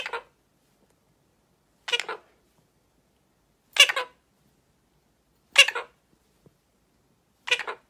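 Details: A free-flying Illiger's macaw playing peekaboo gives five short, harsh, raspy squawks, each about a third of a second long and roughly two seconds apart, in an otherwise quiet room.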